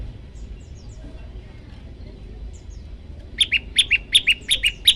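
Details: Master training recording of an olive-backed tailorbird, variation style: faint high chirps at first, then from the midpoint a loud run of sharp paired notes, high then lower, repeating quickly and evenly.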